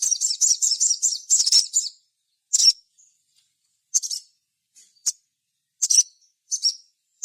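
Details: High sogon song used to coax other sogon to sing and answer: a quick run of bright repeated chirps for two seconds, then spaced single sharp notes about once a second.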